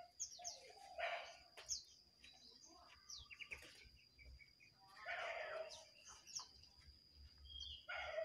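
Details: Jongkangan, wild birds and caged birds singing against each other, with bursts of sharp chirps and twittering notes in loose clusters over a steady high insect-like whine and faint background rumble.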